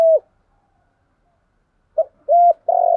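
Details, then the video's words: Spotted dove cooing to stimulate another dove to coo: one low coo, a pause, then a short clipped note followed by two longer steady hollow coos. "cu gáy thúc gáy gọi, tiếng chim cu gáy kích bổi nhanh nổi gù gáy gọi, kích là gáy thúc rút bổi"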